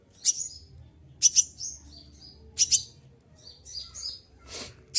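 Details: Olive-backed sunbird singing through its moult: loud paired high chips about once a second, short descending whistles between, and a brief noisy burst near the end.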